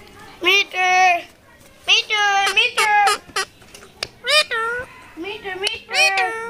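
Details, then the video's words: Rose-ringed parakeet talking at the Mirpur 1 bird market: bursts of harsh, richly layered speech-like phrases, several ending in a falling squawk, separated by short pauses. "আজব কথা বলা টিয়া পাখি || funny talking parrot | tiya pakhi Kotha Bola"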